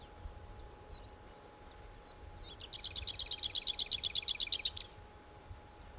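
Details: Lesser whitethroat delivering a few soft thin notes, then a loud rapid rattle of repeated high notes held on one pitch for about two seconds, closing with a short rising note, over a quiet steady hum.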